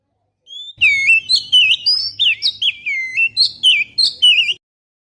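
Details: Oriental magpie-robin singing on a recording used to lure birds, captured with a GoPro Hero: a soft opening whistle, then about four seconds of loud, evenly spaced warbled whistles and quick upslurs.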